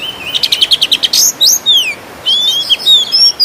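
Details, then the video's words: Kept Oriental magpie-robin (kacer) from Kudus singing vigorously in gacor style, loaded with imitated fill-ins of sparrow and kingfisher calls: a rapid buzzy burst of about ten repeated notes, then clear downslurred whistles and sweeping high whistled phrases. "KACER GACOR FULL NEMBAK ISIAN MEWAH ,GEREJA TARUNG TENGKEK"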